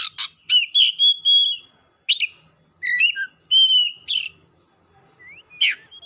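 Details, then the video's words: Kacer, the Oriental magpie-robin, in heated full song, showing off its isian: sharp clicks and long clear whistled notes, with loud phrases every second or so and a soft upslurred whistle near the end. "KACER GACOR LANGSUNG MEMANAS NAIK EMOSI BONGKAR ISIAN"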